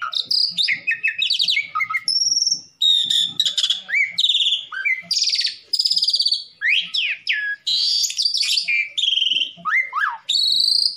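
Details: Energetic black-collared starling song for rival provocation: rapid alternation of buzzy rattles, bright whistles and swooping sweeps, phrases pouring out with only brief gaps across eleven seconds.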